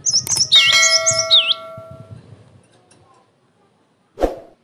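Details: Cinereous tit song used as a lure and training recording: a quick burst of high piercing notes and swooping lower whistles, overlaid by steady ringing electronic tones, ending with a sharp knock.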